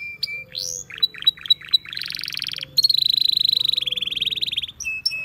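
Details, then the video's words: Wild canaries in song, opening with scattered short whistles and chips before a long, fast, pulsing trill that holds steady for nearly two seconds, closing on a few brief notes. "Canaries Singing In The Wild"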